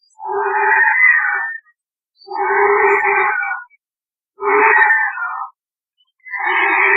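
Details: Rajasthan, India: a White-rumped vulture gives the calls made while mating or squabbling over a carcass. Loud, grating, hissing croaks last a second or more each and come in a steady series about every two seconds.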